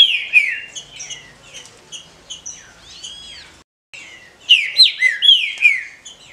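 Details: A captive female green-winged saltator calls to stimulate males; soft repeated chips about twice per second, a brief silence, then a quick run of loud downward-slurred whistles.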